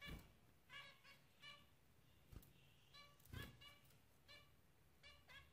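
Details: Zebra finches giving repeated short nasal beeps, some doubled, with occasional sharp clicks and a soft thud in the background.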